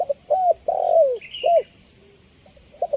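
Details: Spotted dove, offered as a clear lure sound for kept doves: low drawn coo notes, one long and falling, with a brief higher chirp from another bird mid-way and soft short notes at the end.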